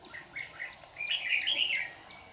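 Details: Red-whiskered bulbul of the white-cheeked type singing in a morning duel as a trap decoy, Đồng Nai, Vietnam, June 2019; a few soft chirps lead into one loud rich warbled phrase.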